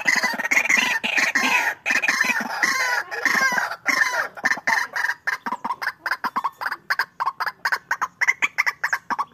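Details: White-breasted waterhen in a fighting duel: dense, overlapping harsh clucking notes, mostly steady at first, then breaking into a string of short separate calls toward the end.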